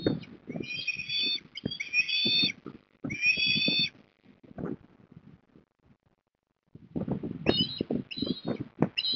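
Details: Ospreys, a family at the nest at Port Lincoln, Australia, recorded 3 December 2021: bursts of high, harmonic whistled call notes in short runs, with pauses between, over low thumping and rumbling background noise.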